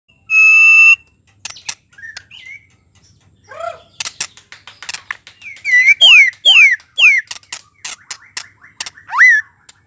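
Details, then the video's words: White-rumped shama song used to provoke another shama into quickly singing its full repertoire: a loud steady whistle with harmonics, then varied sweeping whistles, sharp clicks and rapid rising-falling notes in bursts. "TERNYATA SUARA INI DPT MEMANCING MURAI BATU CEPAT BONGKAR ISIAN KURANG NGOTOT KURANG EMOSI"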